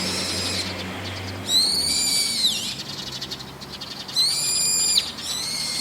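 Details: Brown-eared bulbul calling in the evening from a roof: two loud, harsh, drawn-out screeching notes, each about a second long with a rich harmonic stack and a downward slur at the end, over a quiet low background hum.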